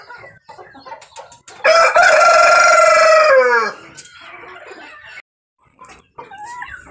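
A rooster gives one loud, drawn-out crow lasting about two seconds, a strained harmonic cry that falls away at the end, with faint background noise around it.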